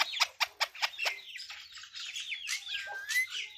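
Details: Pet Indian ringneck parakeet known for talking gives a series of sharp clicking squawks at first, then a blur of high warbled chatter and drawn-out whistled notes.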